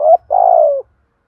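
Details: Single phrase from a spotted dove decoy calling to provoke a rival: a short, husky lead-in note, then a drawn-out, steady, low coo that tails off slightly at the end. The background is quiet.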